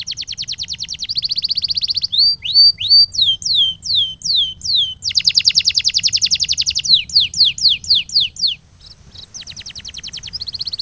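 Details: Canary song used to train pet canaries: rapid high rolls switch to slow loud falling whistles, then a dense buzzy trill, a run of descending slurred notes and quieter trills after a short gap.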